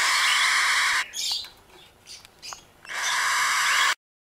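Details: Three cockatiel chicks, the first brood of a pair, in a wooden nest box give harsh, rasping begging calls in two long, loud bursts, with a few softer chirps and squeaks in the quieter gap between them.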